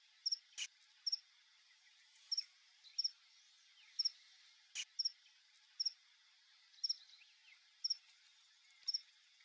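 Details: Male Burnished-buff Tanager visiting a backyard papaya bait gives high, thin doubled chips, repeated roughly once per second with slight irregularity, over a faint steady insect hiss and two sharp clicks.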